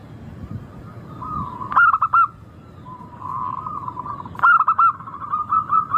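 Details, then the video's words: Zebra dove of a local type, recorded as a lure to start other birds singing: two loud rolling phrases of three or four quick coos, separated by softer, steady cooing in the background. "Pancingan burung perkutut lokal Suara merdu kristal sangat ampuh bikin cepat bunyi langsung gacor"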